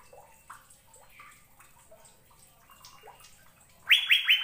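Asian fairy-bluebird: soft, liquid upslurred whistles, roughly three per second, ending in three loud, bright, harsh bursts.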